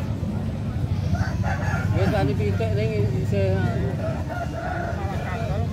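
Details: Bangkok and mangon chickens at an arena in Tretes, East Java, Indonesia, said to be the largest in the country; a rooster's wavering, stepped crow rises over loud crowd chatter and a steady low rumble.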